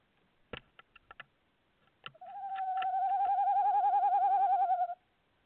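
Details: A Tawny owl calling at a nest box on 25 February 2018 gives a soft, wavering trill held for nearly three seconds, preceded by a few dry knocks and scrapes.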